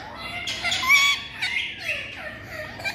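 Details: Talking ringneck parakeet producing a blurred, speech-like stream of hoarse, nasal syllables with slight pitch slides, steady and mid-loud.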